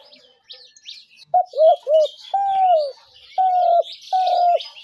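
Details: Spotted dove trap call: three short coos then three long, level cooing notes, against a busy background of high chirping birds.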